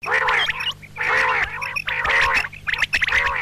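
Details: Female common quail calling, known locally as batair: nasal, harmonic, gargling notes in arched bursts about once a second, with short pauses between them, over a steady low hum.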